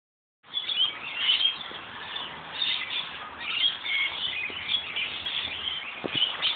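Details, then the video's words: Flock of lorikeets gathered at the top of a gum tree in a central city location in Australia during light rain: continuous high, shrill screeching and chattering from many birds at once, with a soft rainy background. "Lorikeets in light rain singing."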